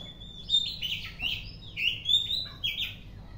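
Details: Oriental magpie-robin singing in the afternoon: a short run of bright, slurred whistled notes, several rising or falling, given in quick uneven succession over faint low background noise.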